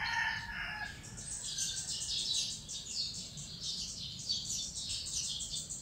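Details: Flock of lowland white-eyes (Zosterops meyeni) in second growth at Bued River, Northern Philippines, 27 December 2020, keeps up a busy stream of thin, high twittering notes; a rooster's crow fades out at the very start.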